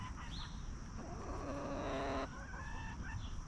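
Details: Free-range hens roaming and feeding peacefully on a backyard farm; a drawn-out harmonic cluck-moan lasting about a second, with a few short calls before and after over steady low background noise.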